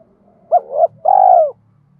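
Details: Spotted dove in the thổ style with a fighting phrase, used to train new and decoy birds. A hooked double note is followed by a long, even, rolling coo. A faint low hum sits underneath.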